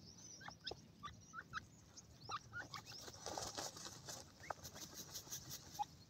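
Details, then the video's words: Young white francolins at play give a rapid series of thin peeps, mostly downslurred and about a third of a second apart, then a noisy hissing stretch and a few later notes. "white pheasant chicks playing at will,balchi teetar ki awaz"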